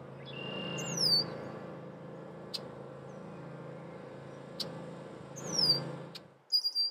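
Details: Male Red-winged blackbird near its nest, warning of intruders: two high, clear whistles that slide steeply downward, about four seconds apart, over a constant low hum, with a few faint clicks.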